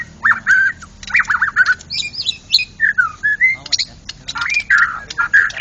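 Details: White-rumped shama, a national contest champion, in ngeplong song: loud rich whistles, rapid warbled trills, high sweeping notes and drawn-out slurred whistles in quick succession, with little background noise.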